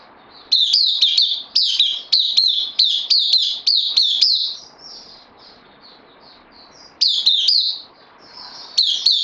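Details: A captive bulbul, a newcomer on loan, recorded 12 September 2020, sings roughly ten fast, high, down-slurring chirps in a row, then soft faint whistles and a long gap, followed by two more brisk bursts.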